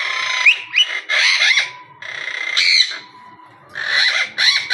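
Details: Monk parakeet talking in short raspy bursts of squawky, voice-like syllables separated by brief pauses, with a thin steady whistle running underneath.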